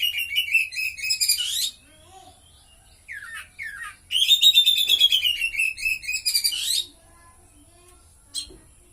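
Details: Caged White-rumped shama (kacer) in full song, trained with a cililin-style fill: loud rapid chattering phrases with harmonic-rich notes around mid-high pitch, bursts lasting several seconds separated by short pauses.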